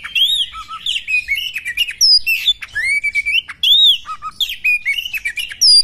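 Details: Female Oriental magpie-robin during a fight, with bright arched whistles, a few low paired notes and buzzy bursts in quick succession, ending on a high upslurred whistle.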